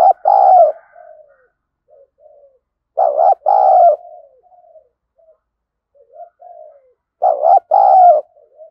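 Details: A decoy spotted dove calling to lure wild birds, in the thổ voice, delivers three strong two-part coo phrases roughly three and a half seconds apart, each followed by soft, fading low murmured notes.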